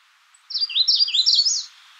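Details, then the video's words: A single rapid Magnolia warbler phrase of linked, descending slurred notes with a slightly higher flourish at the end, clear and close, about a second long. "Magnolia warbler Calling"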